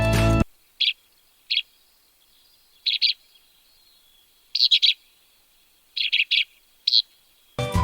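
Oriental Skylark giving short, buzzy high chirps, singly or in quick pairs and triplets every second or so, framed by brief bursts of music at start and end.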